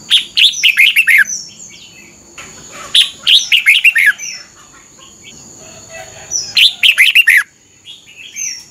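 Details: Caged red-whiskered bulbul from Thailand singing the doubled song style, played for other birds to copy: three quick bursts of five to seven bright, warbled notes, each phrase about a second long, spaced roughly three seconds apart, with a steady high hum behind.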